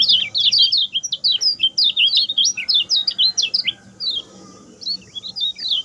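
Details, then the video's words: A master song for training other birds: a lemon-bellied white-eye gives a quick sequence of sharp, high chirping notes, then a pause, followed by a few scattered twitters. "SUARA KECIAL KUNING SPEED PENDEK, TERBAIK UNTUK MASTERAN"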